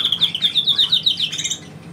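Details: Pet bird trilling on command: a quick series of about a dozen bright, pulsing notes in rapid succession, fading out after a second and a half.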